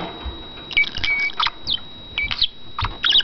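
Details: Pet male budgerigar chattering in his cage: short high whistles and chirps in small clusters, with soft low thumps and a steady faint hum.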